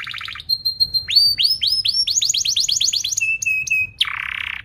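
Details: Singing canary used to coach young canaries: a brief fast trill, a held high whistle, a series of rising swept chirps speeding into a tight roll, a steady whistled note, and a closing buzzy burst.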